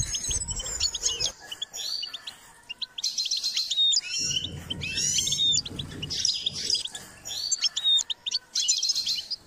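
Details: Goldfinch singing as part of song training: bursts of bright, liquid twitters and quick high notes, mixed with thin whistles, delivered in rushing phrases, with a low rumble underneath midway through.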